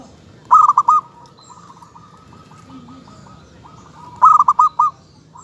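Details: Local zebra dove song: two bright phrases of rapid, staccato cooing notes about 3.7 seconds apart, linked by a faint, rolling trill of evenly repeated soft notes.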